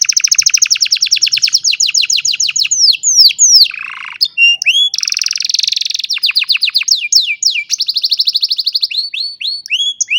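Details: Old canary in song on a sunny morning, phone-recorded: long rapid trill of repeated sweeping notes, a harsh buzzy section, then a dense high trill and clear downward-slurred whistles.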